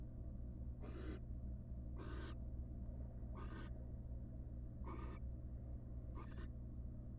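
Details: Wild barn owls in a nest box on the first night after hatching, the male bringing a large rat; five rough, breathy hiss calls spaced about a second apart over constant low hum.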